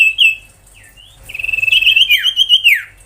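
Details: Ashy tailorbird, locally sirtu or cipoh, in 'tembakan' song meant for tutoring young tailorbirds and magpie-robins: a brief high note, then a long piercing warbled whistle that drops sharply at the end.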